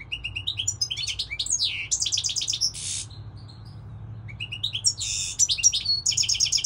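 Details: Goldfinch song from this season: quick tinkling twitters broken by a harsh buzzy rasp, a short pause, then another lively phrase of chirps and buzzes.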